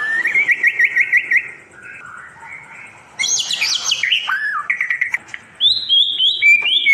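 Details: White-rumped shama song used as a tutor recording for birds that stopped singing, long duration: rapid repeated whistled notes near the start, then a loud burst of high, varied phrases, slurred whistles and upslurred notes; no other sounds.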